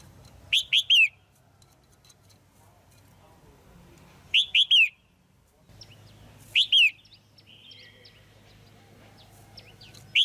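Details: Female red-whiskered bulbul kept in a cage, calling to stir a male or form a pair: clear, loud, slurred whistles grouped in threes, spaced several seconds apart, over a low steady hum and faint chirps.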